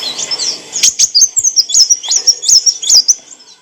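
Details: Olive-backed sunbird, used to train cage birds, sings a quick run of high sharp chirped notes with a thin whistled line running through them, fading at the end.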